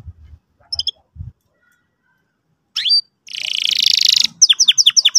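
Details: Canary song used as a lure for teaching a young bird: a few scattered chirps and a rising whistle, then a dense buzzy trill followed by rapid repeated sharp notes.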